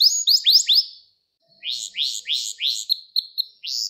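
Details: Gloster canary singing a training song meant to stimulate and excite males and to teach young canaries: quick high descending swept notes repeated in short series, a one-second pause, then more rolling sweeps and clipped notes.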